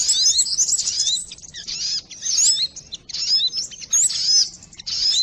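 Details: Sogon bird calls used to lure birds: bursts of sharp, high chirps and quick rising whistles, many voices overlapping, separated by short quieter gaps every second or so.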